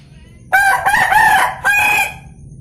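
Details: A rooster in Belitang, South Sumatra, crowing at 07:00: one loud harmonic crow of about two seconds in several segments, the last note held then fading against a quiet background.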